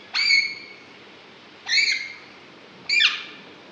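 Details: Caged green ringneck Alexandrine parakeet said to be talking; three separate loud, nasal, harmonic squawk-like notes about one and a half seconds apart over faint room hiss.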